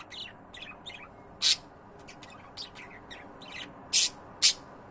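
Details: Pet budgerigars calling: quick bursts of high, twittering chirps, broken by a few loud, harsh, buzzy squawks, roughly two a second, over a steady low background hiss.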